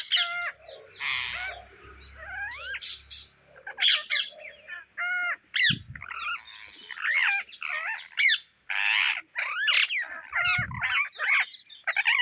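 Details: Indian ringneck parrots searching for seeds: a busy run of harsh, nasal squawks and rising, bending screeches, many overlapping and repeated in quick bursts, with a low rumbling noise early on.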